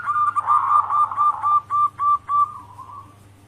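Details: Local zebra dove in lively, full singing, used as a lure to get doves at home to answer; the song style is called manggung. Soft, mellow cooing notes run into a quickening staccato series of about eight clipped coos, then fade, over a low steady hum.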